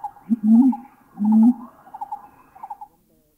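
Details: Two deep, booming whoomp notes from a mountain imperial pigeon in a Thai national park, likely Khao Yai, with higher warbling howls of gibbons in the background.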